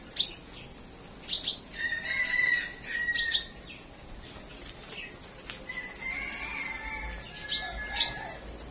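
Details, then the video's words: Flowerpecker singing in the morning: sharp, high chirps and quick upward flicks scattered among softer, lower whistled phrases, with faint background chatter. "Chim Sâu Hót"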